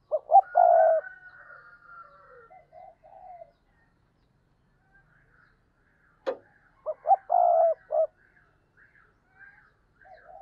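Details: Spotted dove decoy calling to lure other doves. There are two bursts of low, hollow coo phrases with a rolling middle note, separated by a quiet gap and a sharp click. Faint distant calls and higher thin notes sound in between.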